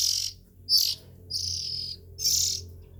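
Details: Nestling Oriental magpie-robins give four short, raspy hisses in three seconds, high and noisy, with a low background hum throughout.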